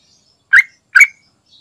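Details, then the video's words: Sooty-headed bulbul singing energetically, offered as a lure to prompt other bulbuls to sing: two short, loud, bubbly notes about half a second apart, each a burst with a brief upward inflection, on a quiet background. "Trucukan Gacor Isian Istimewa Buat Pancingan Agar Cepat Bunyi"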